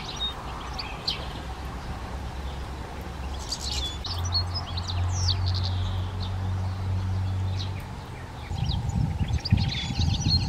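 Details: European goldfinch singing in a home garden: scattered thin, high twittering notes and short tinkling phrases over a steady low engine-like hum that swells mid-clip.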